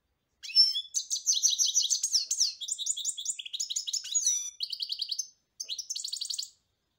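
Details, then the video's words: European goldfinch in full song, a continuous rapid stream of high, tinkling, twittering phrases mixing sweet slurred notes with buzzy trills, briefly broken near the end before a final twittering burst. "جميل جدا carduelis الغناء"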